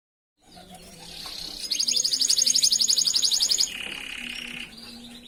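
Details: Master canary song used for training other canaries: a soft high warble swells into a fast loud trill of repeated notes, then drops into a lower buzzy rolling trill that fades out.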